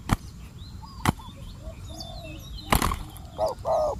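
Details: Spotted dove used as a decoy to attract wild doves, facing a very fierce wild bird; two short, low, hollow coo notes come near the end after several sharp clicks and knocks, with faint high chirps of other birds behind.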